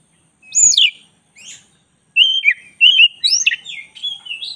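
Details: Oriental magpie-robin of the black-breasted type in a tutor recording. A high looping note and a soft buzz open the phrase. After a pause come quick, varied whistles that rise and fall in a rapid, jumbled stream.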